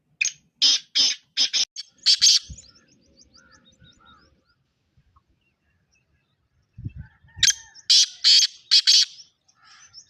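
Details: Black francolin calling: two harsh, grating phrases of about six rasping notes each, the first at the start and the second near seven seconds, separated by near silence with faint small-bird chirps.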